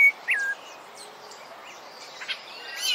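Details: Rufous-bellied thrush (Turdus rufiventris) song played for training other birds: two clear whistled notes in the first half second, the second slurring downward, then faint scattered chirps and a brief higher warble near the end.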